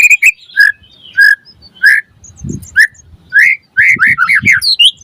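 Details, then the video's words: White-rumped shama (murai batu) song used as a master track to lure other birds into singing: sharp whistled and slurred notes, spaced at first, then a rapid run of rising and falling chirps. "Pancingan Murai Batu Auto Nyaut Langsung Ngplong - Masteran Suara Burung Murai Agar Gacor Full Isian"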